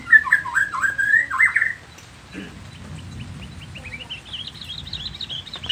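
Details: Nias noktah white-rumped shama giving a loud burst of rapid slurred whistles that quickly fade into a faint series of high, evenly spaced notes.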